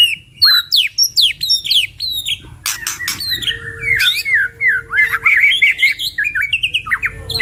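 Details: Two White-rumped shamas in full, varied song used as a training recording for songbirds: short descending whistled notes, then sharp snapping clicks, then a rapid run of chattering, warbling phrases, with a faint steady low hum beneath.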